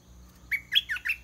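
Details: Caged decoy red-whiskered bulbul singing to lure a wild bird down to fight: one short phrase of four loud, bright whistled notes, the first rising and the middle two warbling, over faint background hiss.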